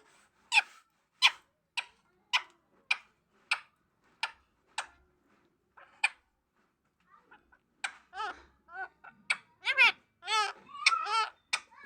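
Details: Talking parrot: a string of about ten sharp, evenly spaced clicks, then a rush of squawky, speech-like syllables rising and falling in pitch.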